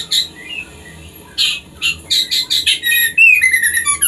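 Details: White-rumped shama, female prompting a male into breeding condition: short loud chirps and notes in quick succession, ending in a run of high whistled slurs and a falling tone.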